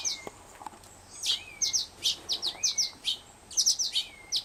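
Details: Fledgling Black-headed Grosbeak in rehabilitation care giving soft begging whistles for food. Level, then rising-falling whistles come several times amid a quickening run of sharp, high chirps in pairs.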